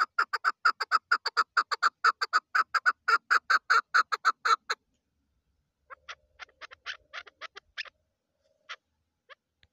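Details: Female chukar partridge: a loud, rapid train of harsh chucking notes for nearly five seconds, then a pause followed by scattered, quieter single clucks.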